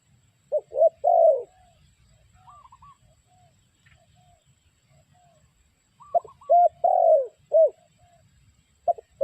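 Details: Spotted dove calling, a sound used as a lure for trapping; a bright rhythmic coo phrase of short notes and one longer drawn-out note, given twice about five seconds apart, with softer higher notes between and low background rumble.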